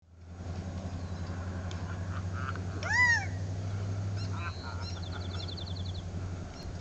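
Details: Quail perched in a tree at Dead Horse Ranch State Park, Cottonwood, Arizona, on 2 May 2010, giving one loud arched, slightly nasal note midway, over a steady low hum and faint chatter from other birds.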